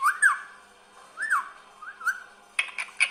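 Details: Green parrot, a talking pet, giving clear looping whistled calls that rise and fall around the mid range, three in a row, followed by a few sharp harsh clicks.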